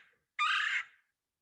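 A single rolling, burry 'kwirr' from a Red-bellied Woodpecker, harsh and slightly trilled, lasting under half a second, with nothing else heard.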